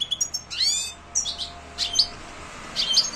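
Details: European goldfinch singing, a bird kept for song contests: separate bright twittering phrases with sharp high notes and quick downslurred trills, spaced by brief pauses.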